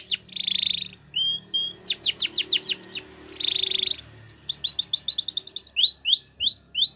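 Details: Spanish Timbrado canary singing for training: buzzy rattles alternate with flat whistles and fast downslurred strokes, then a quick trill of short notes and a closing run of rising whistled notes.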